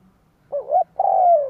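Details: One complete coo phrase from a spotted dove used for luring wild doves: a quick rising, wavering double coo, a brief gap, then a long, deep, smooth coo sinking at the end.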